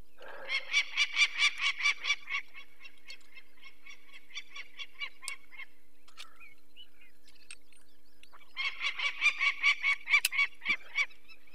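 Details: Nesting female Peregrine falcon, Barycz Valley, Poland, 2 May 2023, alarmed by people removing a chick with eye trouble: two bursts of fast, rasping kek-kek-kek calls separated by a few seconds of sparse, quieter notes and handling noises.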